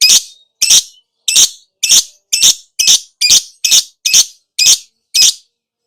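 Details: Lovebird kept as a therapy songbird, giving a steady series of eleven sharp, harsh, high chirps at about two per second, each brief and rasping, in a quiet setting.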